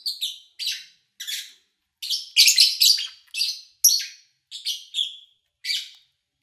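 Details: Lovebirds kept by an owner, recorded over three days from morning to evening in early August 2019 with little engine noise or human activity; sharp high chirps and harsh squeaky bursts in quick irregular series, several overlapping around the middle.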